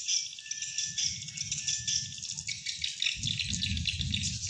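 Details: Swiftlet calls played to attract wild swiftlets to a swiftlet house: dense, continuous high twittering chirps with a steady tone line at first, over repeated low thumping pulses.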